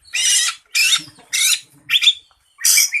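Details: Oriental magpie-robin in competition singing meant to provoke rival birds, giving five harsh, rasping, broadband notes about half a second each, spaced by short gaps.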